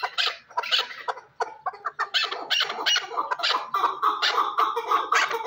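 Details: Chukar partridge from Shurobod giving a fast run of harsh clucking, chattering notes, rough and broad, several a second, building into a continuous rattling chuckle.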